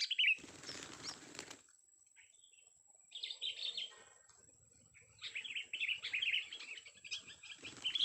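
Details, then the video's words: Young sooty-headed bulbul during a vocal test: a burst of rustling and wing noise opens, then bouts of quick, bubbly chirped phrases with short pauses between them. "kutilang muda tes VOKAL kicau"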